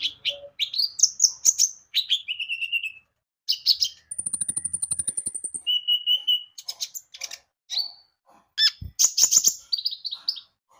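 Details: Javan white-eye (konin) in full, energetic song used as a lure to make other birds sing: rapid, varied high chirps and trills, a long thin whistle with fast pulsing notes beneath, then bursts of sharp twittering separated by brief pauses.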